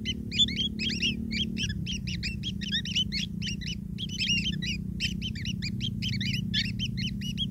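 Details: Long-tailed shrike chicks begging as a parent feeds them: an unbroken stream of high, piercing upslurred squeaks from several young, rhythmic and insistent, over a steady low hum.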